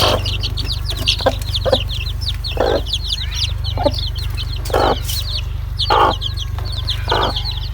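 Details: Loud chorus of chick peeps, thin falling whistles packed tightly together, mixed with intermittent gruff lower bursts and a continuous low hum.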